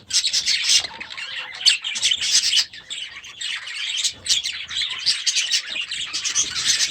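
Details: Young budgerigars in their new aviary chatter in high, buzzy, warbling bursts separated by quieter moments, many birds chirping and squawking together in irregular waves.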